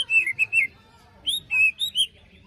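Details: White-rumped shama song for luring a post-moult bird back into singing: rich, fluty whistled notes in two quick groups of three to four, clean and ringing against a quiet background.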